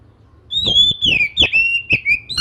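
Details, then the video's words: Oriental magpie-robin singing in the morning, a song said to get other magpie-robins to join in; a loud continuous flow of high warbled and slurred whistles with quick downward sweeps. "kicau kacer dipagi hari mampu merangsang kacer lain ikut bunyi"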